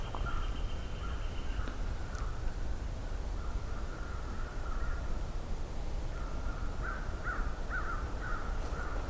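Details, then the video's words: American crows approaching the listener at Johnston Harbour, mid-May 2023, give soft, far-off caws. A thin high tone sounds early on, and the caws grow clearer and come in quick bursts near the end, over constant low noise. "Sounds like some crows are coming this way. This is nice."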